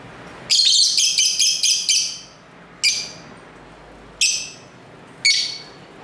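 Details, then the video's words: Lovebirds singing and talking together, home recording with street ambience: a rapid run of about six harsh, high chirps, then three single shrill notes spaced roughly a second apart. "Love Bird Sounds for 15 Minutes"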